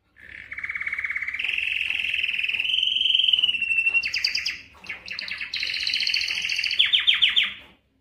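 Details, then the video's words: Canary, Belgian canary, singing to excite females for breeding and to train other birds: long buzzy rolling trills at steady pitch, shifting upward, then rapid stuttering chopped phrases and a fast descending trill at the end. "تغريد كناري للتسميع و تهييج الانات للتزاوج 71- Canário cantando para atrair fêmeas para a reprodução"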